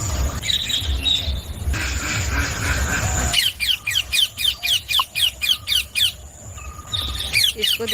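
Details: Several pet rose-ringed parakeets (Psittacula krameri), just awake early in the morning, give a run of shrill, harsh screeches, about four a second, after a stretch of background rumble and a person talking.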